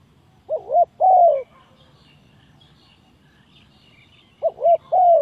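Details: Spotted dove calling as a lure for trapping: two phrases about four seconds apart, each a quick pair of low throaty coos, then a longer drawn-out coo sliding downward, over a quiet background.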